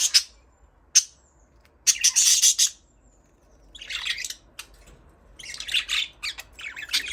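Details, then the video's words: Budgerigars chirping: sharp single clicks open the passage, followed by buzzy warbled phrases and a busier, rattling chatter later, with near-silent gaps between. "Budgies parrot chirping sound"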